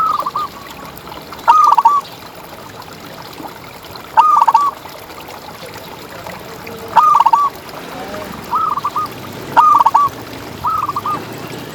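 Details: A gacor champion zebra dove from a tutor recording meant to stimulate other doves. Repeated short cooing phrases, each a bright upward note with quick trailing coos, come roughly every 2.5 seconds above a soft, steady background hiss.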